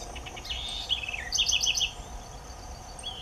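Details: A Southern House Wren (Troglodytes musculus) sings a cheerful, quick, bubbling phrase: a fast rattle of high notes sliding down, then a run of sharp alternating chips, over a low background hum.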